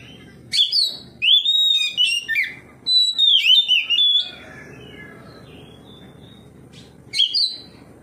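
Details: Ngeplong-style song of an Oriental magpie-robin responding to another of its kind, a bait for birds that will not sing: bright whistled phrases with quick slurred notes in bursts, a pause of quiet hiss, then one more short sharp phrase.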